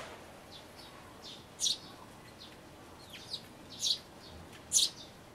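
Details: Young sparrows close to fledging, in a birdhouse, give short, high, thin chirps, four strong ones spaced irregularly over five seconds with fainter calls between, over a soft steady hiss; recorded 12 May 2012.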